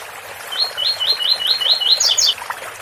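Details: Ouro fino style song of a double-collared seedeater beside a water fountain: seven brisk upslurred whistles in an even run, followed by two higher, sharp down-sweeping notes, over soft splashing water.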